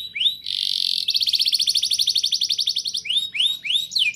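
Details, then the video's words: Canary song used to encourage young canaries to sing: a buzzy held note, a long fast rolling trill, then several loud downslurred shot notes. "Suara Burung Kenari Gacor Ngerol Nembak! Ampuh Untuk Pancingan Kenari Paud Biar Bunyi"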